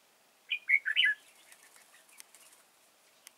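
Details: Decoy red-whiskered bulbul in a trap at Chùa Hương, 31 March 2018, delivering a quick four-note warbled phrase, followed by a few seconds of light fluttering and scattered clicks.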